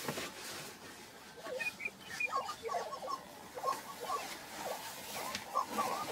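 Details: Scattered clucks and brief whistled yips from lesser prairie-chickens at a Kansas lek, 22 April 2023. The notes come in loose groups, fairly soft against a breezy background.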